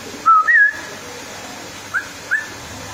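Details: Female straw-headed bulbul: a clear level whistle, then a wavering whistled phrase, followed after a pause by two short rising whistled notes, against faint hiss.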